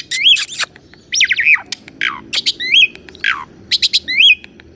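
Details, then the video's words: Asian pied starling, caged, singing to rouse a silent starling: repeated upward-hooked whistles alternating with falling buzzy slurs and short clicks. "KICAUAN BURUNG JALAK SUREN UNTUK MASTERAN JALAK MACET DENGAN SUARA YANG MERDU INI..!!"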